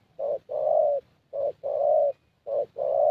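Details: Young thổ Spotted Dove with a fairly good voice, during a decoy session in Gia Lai; low hollow coos around 600 pitch, a short note followed by a longer drawn-out coo, repeated in pairs.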